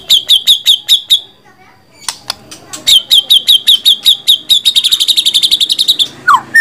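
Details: White-rumped shama repeating a crisp high note about six times per second, pausing with scattered clicks, then resuming the series and speeding it into a dense trill before a falling whistle.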